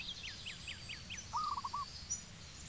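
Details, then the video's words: Zebra dove in Cambodia: one soft, rolling phrase of four quick cooing notes, preceded by a series of five downslurred whistles from another bird and faint high chirps. "Beautiful Zebra Dove Bird, Zebra Dove Bird call, Cambodia zebra dove,"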